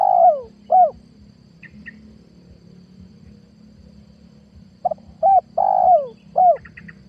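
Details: Spotted dove pikat call from 2022, meant to lure wild doves. The end of one phrase is heard, then a complete phrase: two quick notes, a long coo falling in pitch, and a closing coo. A low droning hum runs beneath.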